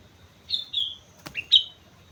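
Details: Sooty-headed bulbul from Mount Slamet in lively song: a pair of bright whistled notes, a sharp click, then a lower rising note and a final loud whistle, over soft background hiss.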